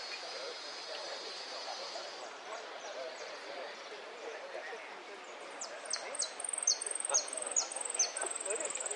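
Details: Saffron finch singing golpes, pitadas and prio: after a stretch of murmur and hiss, a series of high, sharply falling whistled notes repeated about twice a second.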